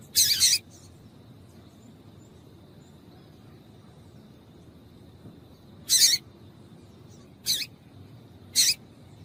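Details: Female papa-capim calling to stir males into song: four brief, rasping, noisy chips separated by long pauses of up to five seconds, with a thin constant high-pitched whine and soft low hum behind.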